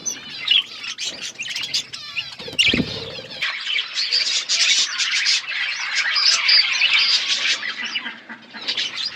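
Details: Budgerigars feeding together as a flock, keeping up busy overlapping chirps and squeaky warbles, broken early by a dull thump.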